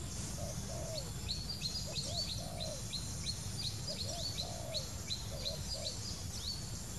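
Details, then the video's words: A wild spotted dove repeats its low three-part coo, short notes leading into a drawn-out descending note, about every one and a half seconds, under a busy chorus of sharp high chirps from other birds. "wild bird, Dove - นกเขาใหญ่"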